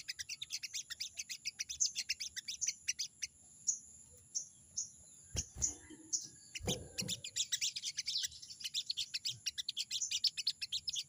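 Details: Crested jay, known locally as sogon, calling out a rival with a "crecet crecet" chatter: long runs of rapid, sharp, high chirps. A steady high whine runs throughout, and a few low thuds fall midway.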